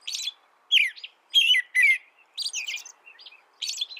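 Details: American robin song offered as a master recording for training birds: short clear caroling phrases with falling and rising whistled notes, given in bursts separated by brief pauses, with no other sounds.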